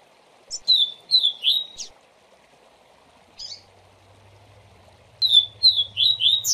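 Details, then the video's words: Double-collared seedeater tutor song, Tui Tui Zel Zel style, for teaching young birds. Phrases of loud, downward-sliding whistles are split by a short buzzy note, while a low mechanical hum rises in the background. "Tui Tui Zel Zel Diferente Para Encarte Canto Lindo!!!"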